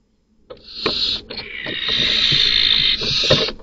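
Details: Barn owls at a nest box at night, where an intruding male, not the chicks' father, kills another male's chicks. Long harsh hissing screeches, broad and noisy, with a short break, then a second sustained rasp with scuffling thumps below.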